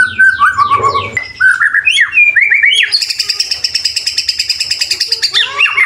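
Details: White-rumped shama song from a training recording full of isian fill-in phrases and tembakan bursts: varied whistles, a descending slurred series, then a long rapid buzzy trill and sliding notes at the end.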